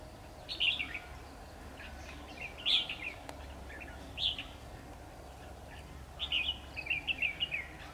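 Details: Red-whiskered bulbul decoy bird singing in competition during bird trapping on 10 October 2019, outdoors in bushes; short bright warbled phrases at 0.6, 2.7, 4.2 seconds, then a longer run of chirpy notes near the end, low background hum.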